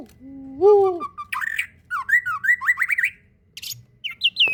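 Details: White-rumped shama (murai batu) fighter-type masteran song: opens with a low rising drawn-out note, then quick zigzagging whistled phrases and a pause before sharp high whistles.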